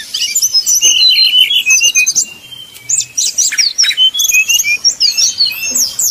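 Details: Sumatran red-crowned leafbird fighting song simulating a bird-contest duel: dense rapid high chirps, twittering and whistled slurs in fast irregular bursts, about three notes a second, with a brief quieter gap midway.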